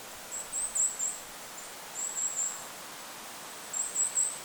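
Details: Goldcrest in forest above a lake giving three short groups of very high, thin, needle-like notes about every two seconds, with constant wind hiss behind.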